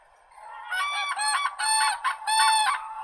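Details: Crane giving loud trumpeting calls, four rich harmonic bursts close together, each about half a second long, with a slightly rolling quality and no other sounds.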